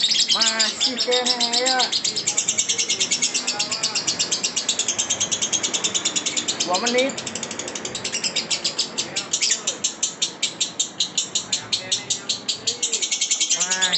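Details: Lovebird still trilling in a long ngekek, rapid high chattering pulses running throughout while men talk excitedly over it.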